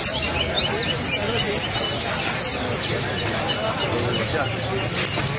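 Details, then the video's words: Saffron finch singing, a recording meant to make cage birds sing: a nonstop tangle of high, sharp chirps and trills, with many voices overlapping throughout. "SI TU CANARIO NO CANTA:(... COLOCALE ESTE AUDIO EN CANTO Y SERA EL MEJOR:) (SICALIS FLAVEOLA)"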